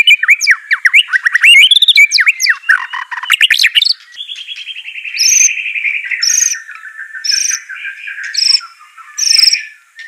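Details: White-rumped shama song used for training a reluctant bird to sing: varied whistled phrases and sliding notes, then rapid trilled runs and bright high chirps repeated roughly every second.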